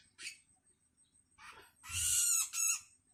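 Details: Long-tailed shrike nestling, hungry and calling its parent, gives a brief harsh note, a softer rasp, then a loud extended grating screech ending in a short second burst.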